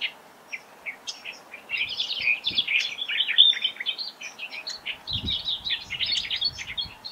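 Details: Australian reed warblers in a South Australian wetland, Laratinga, on 9 January 2021. Scratchy, rapid phrases of chirps and rich warbles rise after a quieter opening, with a few soft low thumps. A superb fairywren also calls.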